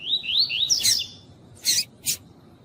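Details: Female Double-collared seedeater calling to warm up a male: rapid rising whistled notes in a warbling phrase, followed by two short, loud broadband chips.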